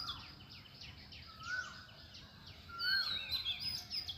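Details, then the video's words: Birds calling at sunrise in the morning: a busy chorus of short, high chirps and downward-sweeping notes overlapping throughout, with a few thin whistled phrases, over a low steady background hum. "সকালবেলায় সূর্য ওঠার মুহূর্তে পাখির ডাকে মুখরিত পরিবেশ"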